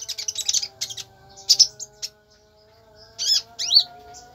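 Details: Konin letting off a fast chattering burst, then a pause, then several rising, whistled high notes; a low steady drone sits beneath.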